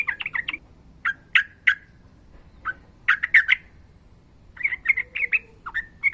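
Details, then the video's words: Sooty-headed bulbul song, fighting style with long rolling phrases, used as training material for reluctant singers. Quick chirp clusters and harsh accented notes come in bursts separated by short pauses, ending in rapid chatter. "TRUCUKAN GACOR NARUNG ROPEL PANJANG MASTERAN TERBAIK UNTUK BURUNG TRUCUKAN SUSAH BUNYI"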